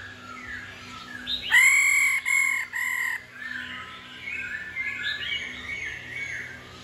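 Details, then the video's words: Female laughingthrush giving its daily ro call, used to spur males into song: three loud, nasal, harmonic notes in quick succession, the first longest, with softer warbled phrases from other birds before and after. "Khứu mái ro quá đỉnh.kích trống hót căng mỗi ngày.khứu mái ro ro"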